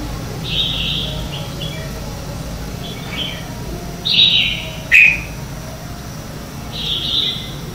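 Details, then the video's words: Red-whiskered bulbul in morning lure song for training birds, heard fairly quietly: scattered high whistled notes, including two sharper downslurred notes near the middle, over a low steady background hum. "Luyện Chào Mào hót sáng hay nhất - To - Rõ - Vang"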